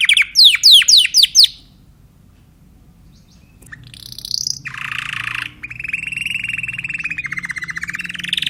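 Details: Timbrado canary song opening with five loud downward-swept whistles, a silence, then a high rising trill, a harsh buzzy section, and a long steady rolling trill.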